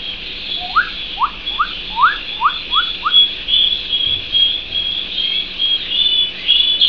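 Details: Canary opening with seven short upward-sweeping chirps in an even sequence, followed by a soft, high, sustained warbling trill.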